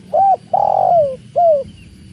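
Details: Spotted dove (tekukur) cooing: three mellow low coos, a short one, a long drawn note sliding downward, then a short one, with a faint steady background hum.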